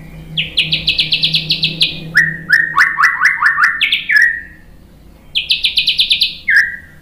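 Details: Provoking song of a white-rumped shama, used to make other birds respond: rapid strings of bright chirped notes, high then lower, a short pause, then another high rapid run.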